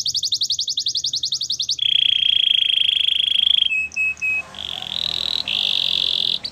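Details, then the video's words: Canary training song: a rapid high trill, then a long steady low rolling tour, short clipped notes and a bright sustained high roll, clearly recorded indoors. "Canary's training song"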